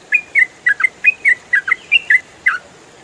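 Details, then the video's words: Yellow-vented bulbul (trucukan) in rapid 'ropel' song style, used as songbird training audio: eleven short, bright chirps in quick uneven succession, some falling and some two-toned, over a steady faint hiss. "MASTERAN TRUCUKAN ROPEL FULL SUARA JERNIH"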